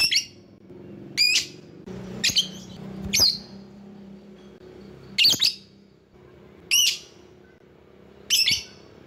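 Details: Calling lovebird meant to lure rivals: seven shrill squeaky chirps at uneven gaps, some doubled or stuttered, with a soft low hum underneath.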